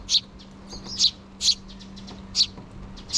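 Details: Sparrow chicks, two nestlings still in the nest, begging their parents for food, recorded in June 2023: short high chirps every half second or so, uneven in spacing, with a faint low steady hum underneath.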